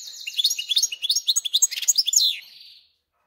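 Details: Captive European goldfinch × canary hybrid singing in its cage, recently arrived and settled in: a rapid run of bright, high twittering notes and short slurred whistles, about two and a half seconds, ending abruptly.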